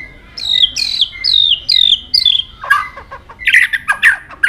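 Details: White-rumped shama singing many varied notes and changing its voice while flicking its tail continuously; clear descending whistled phrases repeated several times, then harsh chattering notes mixed with sharp high chips.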